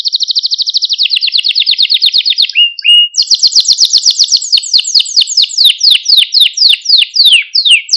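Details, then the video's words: Canary song used for training young canaries and getting them excited: a dense rolling trill that drops in pitch, then a long run of quick descending sweeps repeated several times a second. "Kanarya Sesi Ötüş Eğitimi | Kanarya Ötüşü eğitimi | Kanarya Kızıştırma ve Huylandırma"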